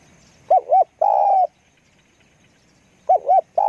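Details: Spotted dove used for luring wild doves, repeating its phrase twice: a quick double coo rising and falling, then a long level hollow coo, with a pause of about one and a half seconds between.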